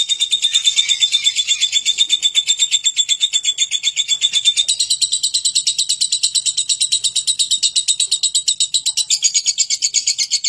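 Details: Sustained lovebird ngekek: a shrill, rapid rattle of pulsed high notes running continuously, loud and unbroken, with the pitch of the dominant tone stepping up partway through.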